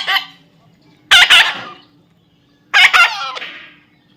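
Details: Young parrot repeating loud, rough double squawks roughly every one and a half seconds, each fading into a raspy tail, over a low background hum.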